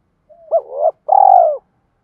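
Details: Single spotted dove phrase, used to provoke a fight and to call two young birds home: a soft lead-in note rising into a wavering coo, then a long, buzzy, slowly falling rolled coo.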